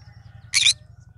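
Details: Cinnamon green-cheeked conure giving one brief, rough screech over a steady low hum.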